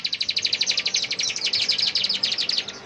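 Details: Bar-winged prinia singing in the energetic ngebren style at full power: a fast, buzzy trill of high chipping notes, roughly a dozen per second, running unbroken for nearly three seconds, faint background hiss.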